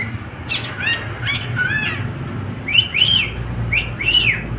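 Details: Pet cockatiel singing with a companion: a run of arching, slurred whistle notes, first softer and lower, then brighter paired chirps rising and dropping, over faint low background rumble.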